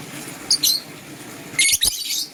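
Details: Green and blue lovebirds in the morning: two short clusters of shrill, high chirps about a second apart, with a soft click between them against quiet indoor background hiss.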